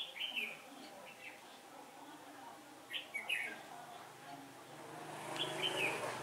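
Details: Red-whiskered bulbul used as a decoy while trapping on a day of shifting wind, 15 October 2017: short, bright warbled phrases in four separate bursts, quiet between, with human voices and background hiss.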